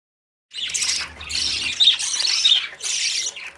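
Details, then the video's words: Young budgerigars just out of the nest, running after their parents for food, give harsh, raspy, high-pitched begging squawks in four rough, continuous bursts. "Budgies babies running for food"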